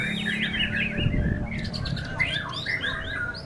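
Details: Contest white-rumped shama keeps singing in strong wind. Rich varied song of quick rising and falling whistles and chirps, with a short buzzy burst, against a low rumble of wind.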